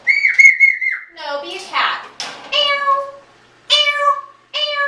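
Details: Talking 16-year-old adopted African grey parrot kept indoors, pestering its owner with a repeated question during cleaning; a clear steady whistle opens, then buzzy speech-like sounds and three bright harmonic voiced calls.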